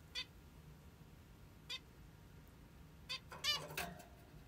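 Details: A plump female zebra finch in the morning gives short, nasal, trumpet-like beeps, five in about four seconds at uneven spacing, the last three closer together, over a quiet background hiss.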